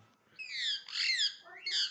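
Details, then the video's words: Pet Indian ringneck parakeet giving loud, harsh, drawn-out squawks with a falling, wavering tone, then a shorter rising squawk, indoors in a quiet room. "indian ringneck talking and barking"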